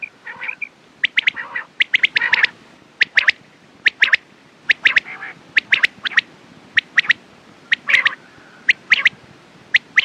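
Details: Quail delivering a long run of sharp, crisp notes in pairs and triplets, mixed with a few rasping nasal bursts early on and a faint drawn-out tone near the end.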